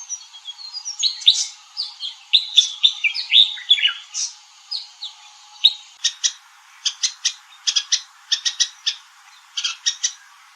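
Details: Red-whiskered bulbul calling: a run of bright, slurred warbling phrases rising and falling over the first six seconds, then a series of short, clipped chirps in quick clusters.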